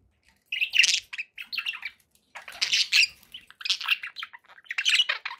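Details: Budgerigar warbling in uneven bursts about two seconds apart, each a jumble of squeaky chirps, rasping squawks and quick twittered notes.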